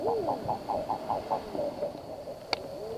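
Common eider giving a quick run of short, husky clucking notes, about five a second, then a few soft, rising coos. Faint lapping water and a sharp click behind.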